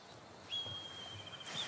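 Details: Black kite perched atop a tree at a nature reserve near Bordeaux gives a thin, high, drawn-out, level whistle, likened to a pony's whinny, over soft outdoor noise; its partner, likely nearby, answers.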